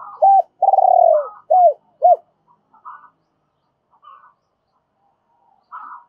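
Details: Spotted dove lure bird in double-voiced calling: one phrase opens with a hooked coo, then a long throbbing descending trill and two more hooked coos, followed by faint higher notes from another dove.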